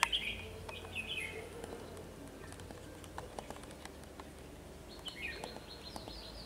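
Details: Red-whiskered bulbul kept as a trapping decoy, in Vietnam: a couple of quick slurred warbling phrases at the start and another near the end, with faint clicks and a low background hum.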